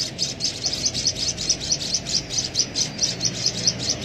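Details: Hand-fed white-headed munia chick, fed through a used straw, repeating short high chirps steadily, about two per second, over low background hum.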